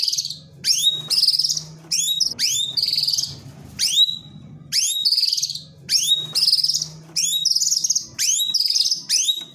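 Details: White-rumped shama delivering a provoking, aggressive 'tembakan'-filled song: repeated phrases of steep falling whistles followed by high buzzy trills, about one phrase per second with brief gaps, over a soft low background hum.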